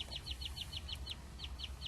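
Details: Great-tailed grackle in a Walmart parking lot in Odessa, Texas, aggressively defending a discarded scrap of paper or food from other birds, gives a rapid run of sharp, downslurred notes, about five or six per second, over a low rumble of wind.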